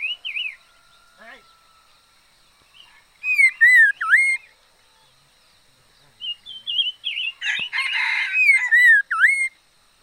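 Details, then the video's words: Decoy liocichla singing: loud rising-falling whistled phrases with sharp dips, broken by pauses, then a busier run of warbled notes mixed with a short burst of noise. "Chim mi lửa mồi hót hay"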